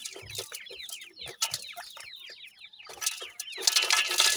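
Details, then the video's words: Loud close francolin (dakhni teetar) chicks: quick runs of high falling peeps, several overlapping, ending in a hissing burst of noise. "teetar chicks ki boli,dakhni teetar baby sound"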